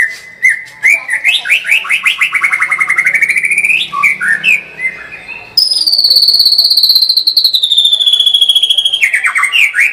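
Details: White-rumped shama in 'gacor full tembakan' song. A rapid run of notes climbs steadily in pitch over several seconds. After a pause comes a long, fast, ringing trill that slides gently downward, closing with a few lower whistles.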